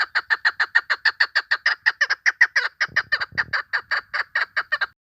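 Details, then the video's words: Chukar hen call used to lure birds for hunting: rapid, continuous harsh chuk notes, about four per second, with a brief low thud in the middle. "Овози модкабки шикори барои шикор, Dişi keklik sesi, صدای کبک ماده برای شکار، صوت الحجل الانثی طویل"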